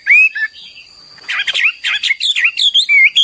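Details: Hwamei (Chinese laughingthrush) in a short burst of song: one clear rising whistle, a pause, then a rapid tumble of varied warbled and whistled notes; steady faint electronic tone underneath.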